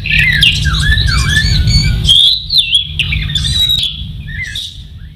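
A masked laughingthrush sings a lively run of varied whistled and slurred notes, rising and dipping, over a steady low hum.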